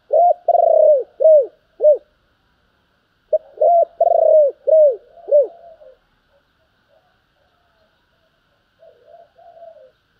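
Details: Spotted dove, in the cooing styles called thúc and gáy gọi, sings two close phrases of arched, throaty coos, long then shorter. Quieter fading notes follow, then silence with a faint low murmur near the end.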